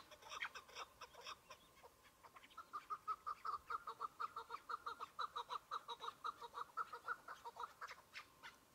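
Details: Single chukar partridge in spring, snow patches on the ground, hunting season newly open: scattered chirps lead into a long run of rhythmic mid-pitched chuk notes, evenly spaced and steady, near continuous to the end.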